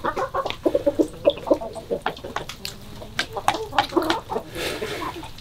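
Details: Chickens on a February 2022 morning, a flock clucking in short, overlapping bursts with a few brief higher notes, busy and irregular throughout.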